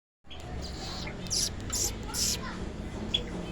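A ring-necked parakeet talks in short, breathy, high-pitched bursts of mimicked speech, with a low room hum underneath.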